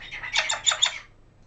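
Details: Pet male African grey parrot, one year seven months old, that is picking up new words and short phrases, giving a harsh, noisy squawk of about a second, broken into three or four rasping pulses.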